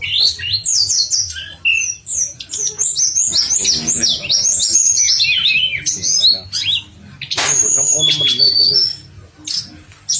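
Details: Pied fantail singing a sweet, lively song intended as master material for training contest birds; rapid varied high whistled notes slurring up and down, dense chattering phrases, then sustained thin whistles near the end, with a faint low hum beneath.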